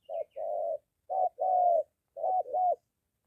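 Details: Spotted dove in Gia Lai, Vietnam: a molting decoy bird in training meets a wild dove near a house. Three paired coos, a short note then a longer mellow hoot, with a faint high chirp at the start.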